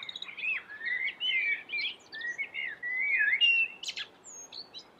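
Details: Melodious common blackbird song: a continuous run of mellow fluted whistles, rising and falling, with scratchy high squeaks woven in and a sharp high flourish near the end.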